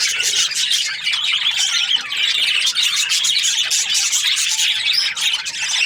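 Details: Budgerigar, described as happy, chirping nonstop in a busy, high-pitched chatter of rapid squeaks, clicks and short warbles that fills the recording without pause.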